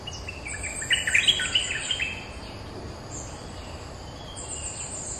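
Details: Streak-eared bulbul, a territory holder answering lure calls: a quick burst of short, bright chattering notes in the first half, then quieter. A steady high insect whine runs throughout over a low rural rumble.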